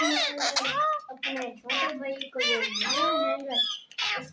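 A rose-ringed parakeet talks in quick, high, slightly nasal word-like phrases, broken by brief squeaky whistles, in a small quiet room.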